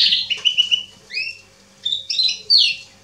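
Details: Singing male Atlantic canary, 27 October 2020, giving a short sparse phrase: a buzzy note, then clear whistled notes, a pair of slurred upward whistles, and sharp high chirps, with a low steady hum in the background.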